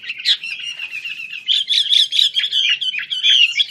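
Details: Chinese hwamei in loud continuous song, rich warbled whistles with quick trills and varied phrases running without pause.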